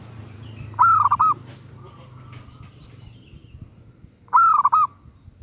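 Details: Female zebra dove calling for a male: two bubbling coo phrases about three and a half seconds apart, each a rising opening note and a quick rolling trill of soft coos, with low background drone.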